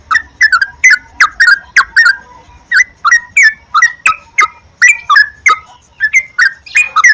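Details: Sooty-headed bulbul song used as a prompt so kept birds sing more: a steady series of short liquid whistled phrases, each slurred and bubbly, repeated roughly three times a second with tiny gaps.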